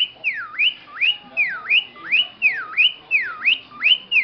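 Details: Pet cockatiel mimicking a car alarm with a clear whistled dip-and-rise siren phrase, falling then climbing quickly, repeated seven times in quick succession over a quiet background.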